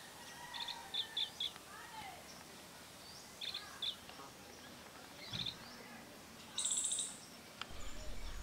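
Black-rumped flameback giving sharp, high chirping notes in short clusters, then a louder, shrill burst near the end, over steady background noise.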